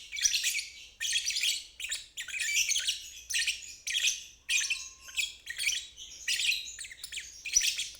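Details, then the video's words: Lovebird ngeriwik chatter for training young or stalled birds: dense, shrill, twittering phrases repeated roughly once a second for eight seconds, with a faint steady tone heard briefly in the middle. "Terapi Lovebird ngeriwik"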